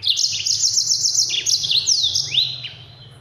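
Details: Yellow-fronted canary, known as mozambik, used as a training song for other birds: fast, dense high trilled phrases with rapid repeated notes and sweeping slurred whistles, continuous for about two and a half seconds over a low steady hum.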